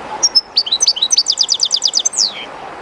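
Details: Near the flowing Jerte River, a captive European goldfinch sings: a few clear high notes, then a rapid, regular series of about nine repeated twitters finished by a downward sweeping note, soft running-water noise throughout.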